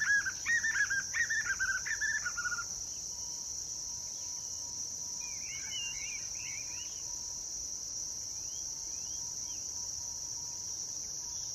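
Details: White-eared puffbird (Nystalus chacuru) singing at Univap, Cavas de Areia, São José dos Campos, São Paulo, Brazil, on 23 June 2023: a quick, rhythmic run of mid-pitched notes for about three seconds, then fainter calls, over a constant high insect drone.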